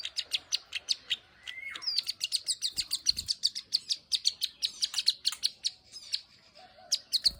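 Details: Plain prinia (ciblek sawah) singing vigorously, with clicks and ngeriwik trills: rapid high ticks, a short slurred whistle, then a long, fast, buzzy run of clicking notes that fades near the end.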